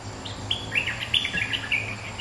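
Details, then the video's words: A bulbul holding its territory answers a rival with loud, ringing chirps, sliding and bouncing in pitch in a brief energetic phrase. "เสียงนกดอกแตงEp.209 ถูกคู่ เจ้าถิ่นริก!!กระจายเลย Suara pikat merbah lekir gacor"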